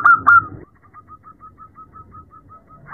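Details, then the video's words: Female zebra dove calling to a male at night: two loud, rolling cooing notes with sharp clicky onsets, then a long run of soft, evenly spaced short coos, about six per second, fading out against faint background rumble. "Terapi perkutut malam hari | suara betina memanggil jantan"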